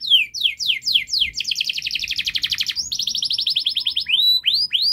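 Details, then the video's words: Canary in long fast gacor song used as a model for young canaries: descending whistled sweeps every fraction of a second, then rapid buzzy trills of stacked notes, ending in upward-arching whistles. "Kenari Gacor Panjang Speed Rapat Untuk Pancingan kenari Paud Agar Cepat Gacor"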